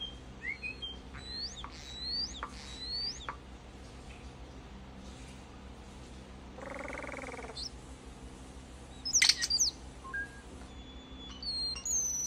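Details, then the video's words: Common starling song in slow motion: a string of rising and falling whistles and clicks, a buzzy harmonic rattle in the middle, then sharp high notes and thin whistles over a low steady background hum. "A little more Slow Motion Starling Song"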